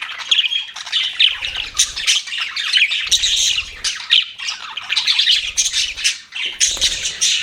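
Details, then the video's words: Pet budgerigars chirping and warbling, grating squawks mixed with high twitters in uneven bursts, separated by short gaps, with soft low rumbling at times. "BUDGIES CHIRPING SOUND"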